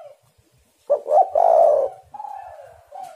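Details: Spotted dove cooing, played as a lure to get other doves calling: soft low coo, then a loud throaty burst of two quick notes into a long hoarse coo, followed by a steady, softer drawn-out coo.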